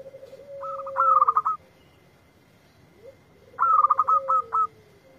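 Zebra dove cooing in two phrases about three seconds apart, each a quick run of soft, pulsed notes ending in short coos, over a faint steady whistle-like tone.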